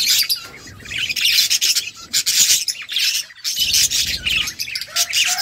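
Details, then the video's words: Eating budgies keep up harsh, squawky chatter and high chirps in repeated loud bursts, many birds overlapping, with a brief quiet gap before the noisy flock calling returns. "Beautiful budgies flocks birds chirping sounds budgie eating"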